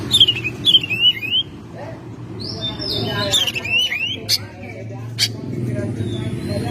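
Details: Home-kept Oriental magpie-robin in May: a run of descending whistled slurs, then a flat sustained whistle and further wavering notes with a few sharp clicks, over low background noise.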